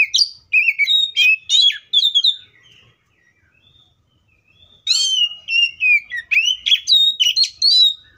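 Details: Wild Oriental magpie-robin delivering two bursts of varied song, clear whistles mixed with sharp chips and slurred notes, separated by a pause of about two seconds.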